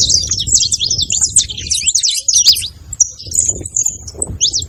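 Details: Saffron finch chirping rapidly in a dense run of high, bright notes for two seconds, then thinner, spaced whistled notes and a few sharp chips, with soft background rumble.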